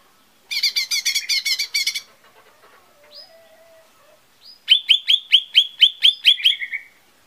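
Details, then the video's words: Lesser green leafbird song meant to trigger singing: a fast, rich chattering trill, a few soft lower whistles, then a quick run of repeated sharp upslurred chips ending in a short buzzy note. "SUARA PANCINGAN CUCAK IJO MINI"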